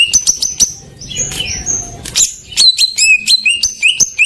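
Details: Greater green leafbird song used as a lure to make silent birds sing: rapid high whistled notes, sharp rising slurs and repeated clipped phrases, with a brief rustling break in the middle.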